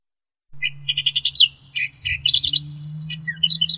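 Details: Australian reed warbler song from a reed-dwelling Australian bird: a rapid string of chattering notes, a high slurred phrase, two lower notes, then varied bright chirps and a short downward whistle, with a steady low hum behind.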